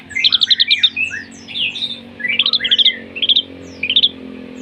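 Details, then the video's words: Long-tailed shrike in a provocation song built on mimicked material of fighting sparrows and lovebirds: rapid bursts of high, squeaky chattering notes in clustered runs, with short pauses between phrases. "Cendet materi greja tarung & love bird || PANCINGAN CENDET"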